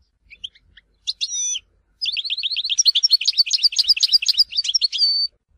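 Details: Tizi Ouzou goldfinch, Algeria, in song: soft chirps, a short whistled flourish, then a long fast run of repeated tinkling notes, roughly four per second, ending in a buzzy tone.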